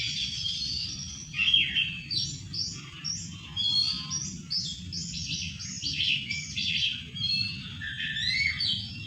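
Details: Varied, busy warbling of an Oriental magpie-robin, with chattering and whistled notes following each other quickly against a steady low rumbling background.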